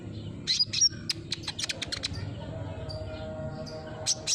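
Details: Olive-backed sunbird lure sound to prompt a silent bird to sing: a quick, high, stuttering twitter of clipped notes, a pause, then two bright chirps at the end.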